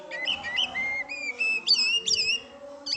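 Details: Oriental magpie-robin singing a varied series of clear whistled notes, some flat and some slurred upward, in short separate bursts, with a faint low hum in the background.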